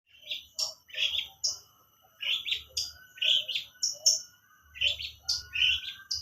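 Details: Long-tailed shrike singing a learned lovebird song: bright, varied chirps and short rising whistles in quick irregular phrases, with brief pauses between bursts and a faint low hum underneath.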